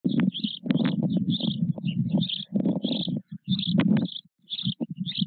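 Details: White stork nest at Nové Mlýny on 8 May 2024, four nearly equal-sized chicks with their father: low, buzzy pulsed calls in rapid bursts, with high thin chirps from small birds overhead.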